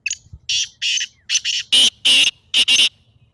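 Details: Black francolin calling, recorded for playing to a pet partridge to set it calling: harsh, raspy notes, three short ones, then a pair and two longer grating bursts, loud with quiet gaps between them.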